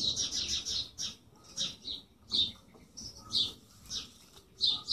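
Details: Bird chirping in short high bursts, a few quick notes in clusters separated by brief pauses, with some quieter thin calls between.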